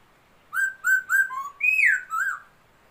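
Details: Laughingthrush, noted as a new bird, singing on 27 February 2022: a rapid phrase of six mellow whistles, the first flat and repeated, then a higher note gliding down, ending in a short rising-falling whistle.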